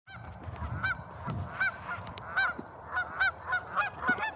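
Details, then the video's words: Geese making noise: a series of nasal honks, single and doubled, repeated about once a second over a steady low rumble of background noise. "geese making noise"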